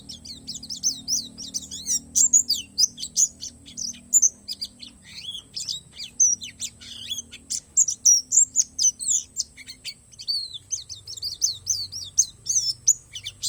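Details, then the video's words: Pleci palas from Borneo, an Oriental white-eye, in a long 'isian alam' performance: nonstop high, scratchy twittering packed with quick chirps and sweeps, with a low steady hum beneath. "SUARA PLECI PALAS BORNEO"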